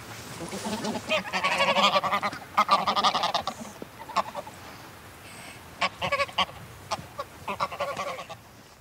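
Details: A flock of greylag geese, heard close, give loud, excitable nasal honks in overlapping bursts, with wing-flaps and quieter calls between; mallard calls are heard distantly.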